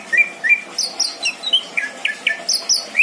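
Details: Caged greater green leafbird kept as a home pet, singing a rich varied song of high whistled and slurred notes, quick rising and falling phrases around four to eight per second, no other sounds clear.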